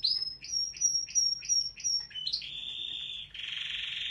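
A Waterslager canary sings a fast series of high, liquid notes about three a second, then shifts into long, rolling, bubbling trills.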